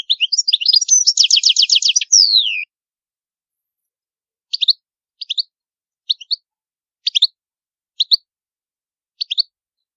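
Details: European goldfinch of the old Palermo Sicilian song style, used for tutoring young birds; a fast buzzy trill then a descending slurred note, followed by short twittering doublets spaced about a second apart, on a clean silent background.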